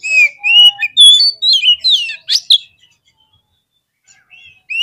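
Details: Kacer (Oriental magpie-robin) lure song to stir birds into fighting: lively whistled phrases with rising and falling slurs and two sharp buzzy bursts, then near silence and a final rising whistle.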